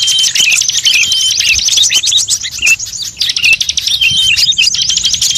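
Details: Layered lure call for drawing in wild birds, mixing magpie-robin, shama, bulbul, prinia and other songbirds; shrill, quick chirps and buzzy trills run throughout, punctuated by short downslurred whistles.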